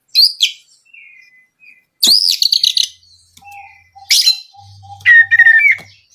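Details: Kacer (oriental magpie-robin) lure song for provoking rivals; loud high chirp bursts alternate with soft gliding whistles and a steady low pure tone, ending in a warbled whistled phrase.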